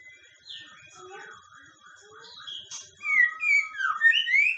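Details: White-rumped shama song at night, used as a lure: soft, varied slurred whistles build into loud, clear, drawn-out whistled notes rising and falling, with a faint steady electronic tone behind.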